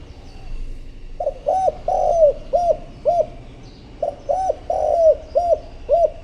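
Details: Decoy spotted dove cooing to call in wild rivals: a steady run of low, soft arched coo notes, about ten in six seconds in two groups, with faint higher chirps from other birds.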